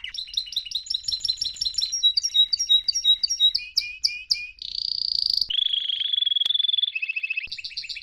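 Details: Canary song used to teach young canaries to sing: bright paired chirps in fast repeated tours, loud slurred notes, a buzzy roll, a long level trill and closing doubled notes.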